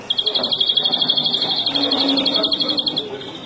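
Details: A European greenfinch, known in Turkish as flurya, rattles off a quick, regular high trill of about four notes a second for three seconds while people talk softly behind.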